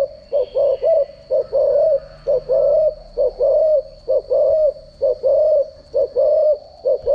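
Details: Spotted dove decoy call for daily training of cooing: rhythmic low hoarse coos, a short note then a longer one, looping roughly every second, with a steady electronic high whine throughout.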